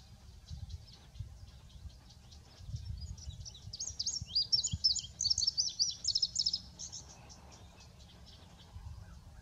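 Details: Male indigo bunting delivering one strong song of high notes, doubled and slurred up and down, lasting about three seconds. Fainter chirps come before and after over a steady low hum.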